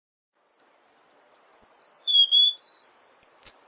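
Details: Tutoring song of a Cuban bullfinch in the 'tembakan rapat' rapid style: high sweet chirps running downward, a lower drawn whistle, then a climbing series of bright quick notes.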